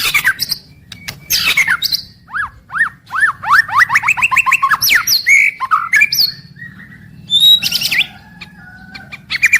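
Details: White-rumped shama kept in a cage, singing a daily song through morning to evening: a varied run of rising slurred whistles, repeated upward-swept notes, buzzy trills and sharp clicks, with faint low background hum.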